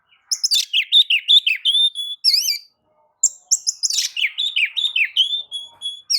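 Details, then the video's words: Shama song meant to set other birds singing: fast bursts of scratchy chirps and wavering whistles, roughly 162 notes a minute, broken by one short pause. "kicau pancingan kacer gacor pagi sore siang malam"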